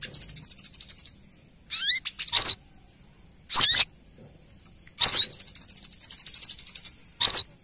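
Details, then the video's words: Female brown-throated sunbird calling the male, used as a lure: long rattling high trills broken by loud clipped chip notes, some doubled, and one rising whistled slur. "Suara pancingan kolibri kelapa betina memanggil jantan"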